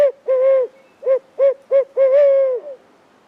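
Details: A Barred Owl, hidden in tree foliage on a late May 14 afternoon during a spring turkey hunt, calls back and forth: rich, rounded hoots, two longer and three short, the last drawn out and trailing downward.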